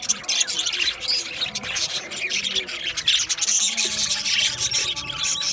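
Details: Budgerigars in an aviary, a flock chattering with dense, scratchy high chirps and short whistles overlapping continuously throughout.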